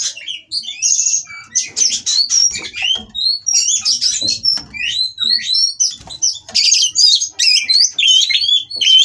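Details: Kacer, the Oriental magpie-robin, sings in a mating context to provoke rivals at a breeding farm: long, continuous torrent of sharp whistles, upslurs and chattering clicks, loud and busy throughout.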